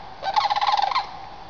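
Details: A Sandhill Crane, one of a group flying over woods at sunrise from their overnight woodland roost toward feeding fields, gives a single rolling, rattling bugle of about three-quarters of a second, rich and throaty, over a quiet background.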